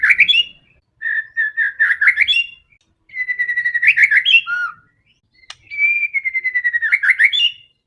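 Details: Fighting white-rumped shama, song used to provoke other birds: four phrases of rapid rhythmic chirps and slurred whistles with long drawn notes, each phrase about two seconds, brief gaps between.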